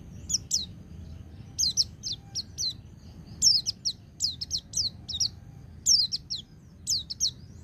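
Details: White-eye delivering ngecir sambung ngalas song for training captive birds: a long, uneven string of thin, high chips and falling whistles, often in pairs or triplets, continuing for several seconds over a steady low background hum.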